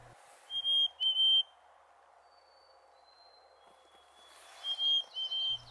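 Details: Two male chickadees with neighbouring territories in northern woods in June sing the "hey sweetie" call back and forth: clear, pure, high two-note whistles, a fainter long whistle answering from farther off, then more whistled notes.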